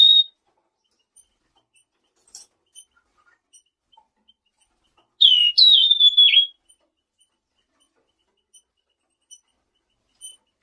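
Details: Selendang biru in full song, used as a lure to make nearby birds answer: one brief high whistle, then a single clear phrase of high whistled notes sliding down, otherwise quiet with faint ticks.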